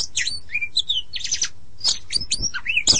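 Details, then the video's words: Oriental magpie-robin (kacer) producing a dense jumble of quick chirps, slurred whistles and scratchy notes, varied and rapid without pause. "suara burung kacer mp3 (copsychus saularis)"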